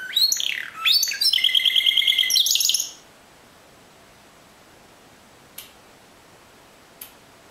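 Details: Domestic Timbrado canary performing discontinuous song: three seconds of loud, high, evenly pulsed trilling with swooping notes at the start, then near silence broken by two faint clicks.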